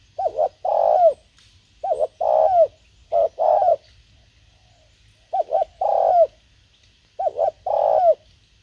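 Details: Decoy spotted dove calling to lure wild doves. It gives clear, low cooing phrases, each a short note followed by a longer rolling coo. Five phrases are repeated roughly every one to two seconds over a quiet background.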